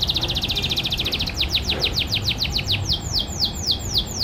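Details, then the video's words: Captive canary from a private farm singing in the morning: a rapid trill of short sharp notes that slows into longer downward-sweeping whistled notes, about three to four per second, over steady low background noise. "MASTERAN KENARI PAGI HARI"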